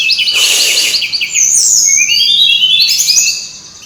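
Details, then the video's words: Brown-chested jungle flycatcher, a recording used as a lure to get birds singing: a dense, high chattering burst, then long sliding whistles that rise and fall, over faint low hum. "suara ribut burung srdc /pancingan suara burung srdc biar gacorrrrr"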